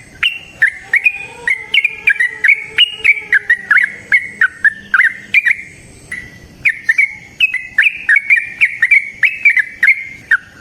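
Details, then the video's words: Wild yellow-vented bulbul in full song, used to provoke other trucukan into singing: over ten seconds of energetic, repeated chirping notes in quick succession, briefly interrupted, with a faint low hum in the background. "Trucukan GACOR ngalas ROPEL PANJANG suara alam AMPUH buat pancingan"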